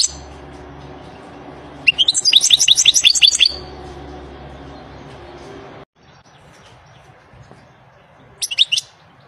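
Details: Wild European goldfinch song: a short rapid run of sharp, liquid twittering notes, then a long quiet gap and a brief final twitter near the end, over faint background hum.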